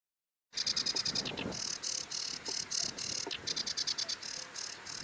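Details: Sedge warbler song fading in with steady, dense chattering notes mixed with thin whistles, delivered in quick uneven runs over faint background noise.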